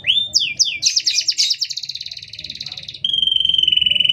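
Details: Canary singing continuously with short gaps, for training or provoking other canaries: upswept whistles, then a fast rapid trill of repeated notes slowing down, then a steady pulsed trill near the end, low rumble behind.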